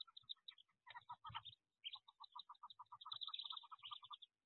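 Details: Wood duck ducklings in a nest box during their 2023 jump from the box: rapid strings of high, clipped peeps, some with a lower two-note quality, in bursts that overlap, alongside soft low knocks and scuffles.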